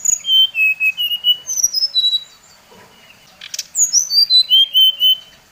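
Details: Brown-chested jungle flycatcher, Bali variety, with a song meant to rile other birds: a run of whistled notes falling in pitch, a quiet stretch, then another high-to-low whistled cascade.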